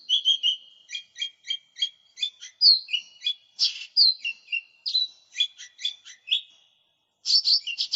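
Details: Actively singing lesser green leafbird, a lure and tutoring recording: a steady run of quick repeated chipping notes, then varied whistled slurs and scratchy trills, ending after a brief pause with a dense high twittering burst; no other sounds.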